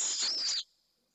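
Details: Pallid swift at a nest in Jerez de la Frontera, Spain, on a remote camera; one loud, harsh, high scream lasting about half a second, then cutting off to near silence.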